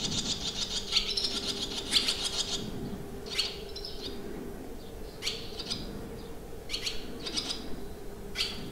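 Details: Barn swallows recorded on 25 June 2023 at a Limousin countryside campsite, France, giving a chattering twitter, then spaced single bursts of high chirps every second or so, over a constant low hum.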